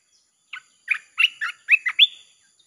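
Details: Song of a red-whiskered bulbul, used for luring wild birds: one opening note followed by five or six clear, liquid whistled notes, the last one rising and trailing off, with a soft steady high hum behind.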